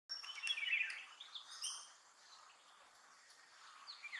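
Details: A male Malabar whistling thrush sings at dawn in a Western Ghats forest, rich, rambling whistled phrases at mid pitch, with quick high chirps from other birds mixed in.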